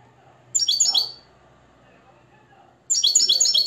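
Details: Caged, nest-raised Moroccan European goldfinch trained in limpio song, giving two short bursts of high, liquid twittering notes split by a few seconds of near silence.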